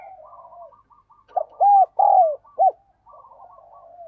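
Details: Decoy spotted dove giving the urging 'gáy thúc' call to lure wild doves, three loud hollow coos after a short lead-in, the last one clipped short, with softer distant cooing before and after.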